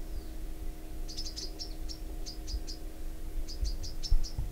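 Bronze sunbird giving high, thin chipping notes, about a dozen in quick bursts, over a low steady hum.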